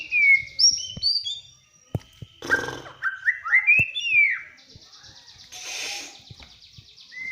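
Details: White-rumped shama singing energetically, a song said to prompt other birds to sing: clear high whistled phrases, sliding and fluty, broken by bursts of rattling noise and sharp clicks.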